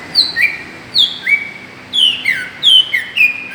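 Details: Lure call of a greater green leafbird meant to provoke other birds, a run of sharp whistles, each a high falling note followed by a lower upslurred one, repeated about every half second.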